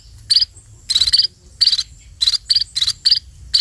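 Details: Sparrows being fed give short, shrill, buzzy begging chirps in quick bursts of two to four notes, with brief pauses between groups and a low hum underneath.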